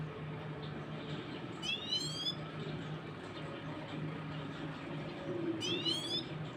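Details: A newly acquired baby Himalayan goldfinch trying to sing gives two brief rising, twittering notes about four seconds apart over a steady background hum and hiss.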